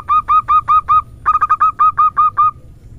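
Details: Zebra dove hen calling in the 'nutut ngerot' style used to lure doves: quick hooked coos of even pitch in two rapid bursts, about five then eight notes, with a short gap between.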